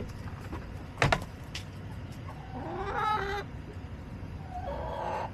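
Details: Backyard hens on July 17, 2024 give a rising, wavering squawk followed by a drawn-out nasal call, after a sharp clattering knock, against low steady background noise.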